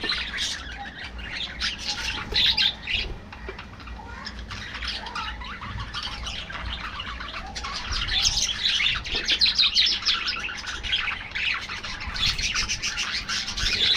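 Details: Aviary budgerigar colony giving continuous mixed chatter, with rapid twittering, scratchy warbles and occasional sharper squawks from many birds, growing louder in the second half.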